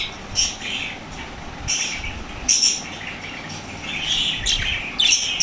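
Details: Pet lovebirds, described as becoming very active and energetic when played lovebird sounds, give shrill, high chirps in short bursts about every second, over a steady background hiss.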